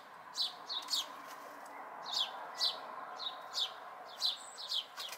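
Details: Young house sparrow fledglings, local, May 2020: loose series of about a dozen clipped, falling chirps, some in quick doubles, some faint, against low background noise.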